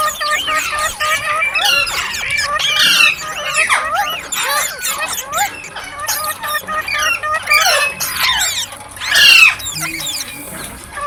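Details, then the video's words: Green parrots in full chorus, overlapping sharp chirps and bending whistled squeaks pouring out nonstop, with occasional louder shrieks rising above the flock. "Green Parrot Chirping Sounds /Voice"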